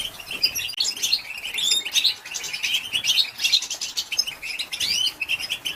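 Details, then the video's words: Female European goldfinch batbata chatter used to excite male goldfinches: steady, high, tinkling twitter of quick chirps and short trills, repeated in bursts roughly every half second. "بتبته لتهيج ذكور الحسون تجهيز الاناث أصوات تحفز الطيور الخاصه بك | بتبته أنثى الحسون"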